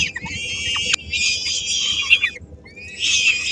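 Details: Peregrine falcon nest in Helmond, 13 May 2016, with three-week-old chicks as the female arrives with a small morsel of prey: harsh, drawn-out screeching calls in two long bursts, then a rising screech near the end.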